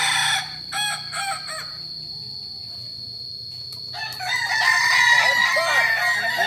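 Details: Kukuak Balenggek roosters, an ornamental chicken breed native to Solok, West Sumatra, at a training meet. Short bursts of harmonic crowing open, then a quiet gap, then dense overlapping crows from several birds return.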